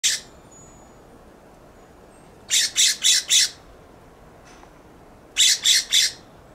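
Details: California scrub jay perched on a plum tree in a backyard, giving harsh scolding calls: rasping notes in quick bursts, first four then three, each burst about a second long, over a quiet background.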